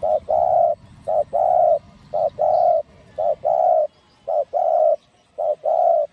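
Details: A cu gáy, or spotted dove, singing giọng đồng to stir other doves. About six phrases, roughly one per second, each a short note and then a longer, steady coo, against a low background murmur.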